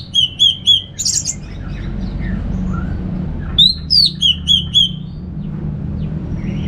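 Orange-headed thrush singing clear, high whistled phrases of repeated notes, with a short rising squeal and a few softer chirps between, over a low background hum.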